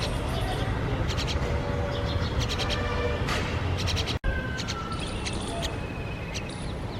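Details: Myna parents feeding their grown-up chick, which also feeds itself, and scolding it; several clusters of harsh, grating squeaks, a brief break near the middle, then fainter rasps against heavy low-pitched background noise.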